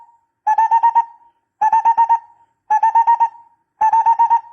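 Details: Barbet used as a decoy sound: repeated clusters of five quick, resonant hoots with a trailing tone, spaced a little over a second apart, in a quiet background.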